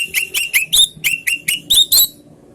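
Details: Orange-headed thrush (anis merah) lure song of the ngeriwik type, played to provoke other birds into replying: nine sharp, rising chip notes repeated about every quarter second, slightly fading at the end.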